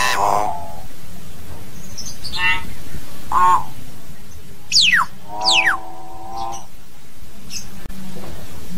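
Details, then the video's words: Hill myna calls to its flock with a broad buzzy note, a few short chirps, two steep falling whistles and a long, harmonic, honking tone, spaced irregularly over a constant low hum. "Tiếng Nhồng hót, tiếng Yểng hót gọi đàn"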